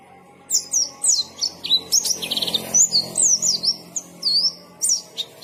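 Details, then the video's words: High, sweeping whistles and sharp chirps from a white-eye in 'gacor ngalas' song, coming in bursts with short pauses. A brief rattling buzz is heard midway, against background noise. "KICAUAN BURUNG PLECI GACOR NGALAS"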